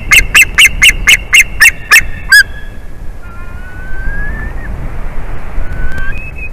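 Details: Adult male white-tailed eagle at the nest, afternoon of 8 April 2021, greeting his returning mate: a hurried burst of about ten piercing yelps ending in one lower note, then faint, thin, rising whistles over a quiet background.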